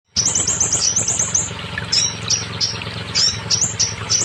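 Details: Scarlet minivet song played to get young, stalled or molting birds singing: very high, sharp chirps in rapid strings of six to eight, then spaced single upslurred notes, over a steady low hum.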